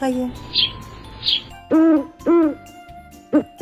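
An owl gives low, hollow hoots, four short notes at uneven spacing, preceded by faint steady tones and a couple of thin high chirps.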